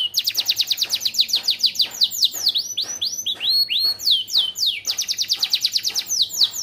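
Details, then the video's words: Lively yellow AF canary sings a continuous, varied song of rapid downward-sweeping notes, grouped into rolling trills that change pitch and speed every second or two. "KENARI AF KUNING ISIAN GACOR"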